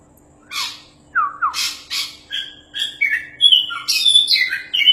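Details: Oriental magpie-robin singing, a varied run of sharp downslurred whistles, buzzy bursts and rapid chattered notes, phrases delivered about once or twice a second and growing denser toward the end.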